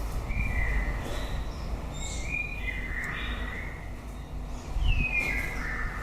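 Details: Song of a white-rumped shama late in the breeding season. Clear whistled phrases slide downward and sweep between mid and high pitch, ending in a bright falling whistle over steady low noise.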